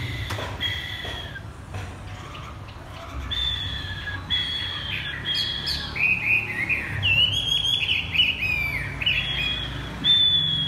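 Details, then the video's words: Caged Chinese hwamei singing in the "thắt cổ chai" style: long, bright whistled phrases, some level and some slurred downward, rising toward a fluttering, high-pitched finish. "Chim hoạ mi đặt đất hót thắt cổ chai thắt cổ chai"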